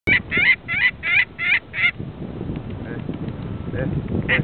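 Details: Saker falcon (Falco cherrug) at an artificial nest in central Mongolia, summer 2007, gives six harsh, scratchy calls, about three a second, then one faint call near the end, over a low rumbling background.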